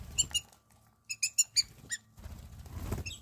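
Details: A flock of wattled starlings visiting a garden in Namibia in the morning. Short, sharp, high chipping notes come in quick clusters, then a pause, against a low rumbling background.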